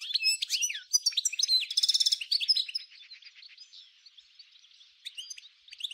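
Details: Goldfinch song of the 'nature' style from Souk Ahras, Algeria, 1995: a loud, rapid jumble of chirps and a metallic buzzy trill for three seconds, then softer continuous twittering with a brief closing flourish.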